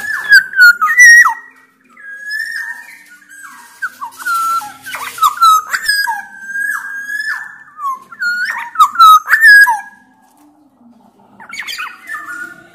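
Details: Black-naped oriole of Sumbawa stock, a loud, persistent singer used as a lure to get lazy orioles singing; rich fluty whistles, some sliding down, repeated in quick phrases with short gaps.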